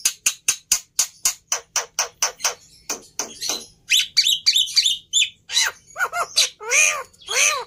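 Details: Black-winged myna song opening with a rapid string of sharp, evenly spaced clicks, then shifting into squeaky chattering phrases and loud, rasping, harsh notes toward the end.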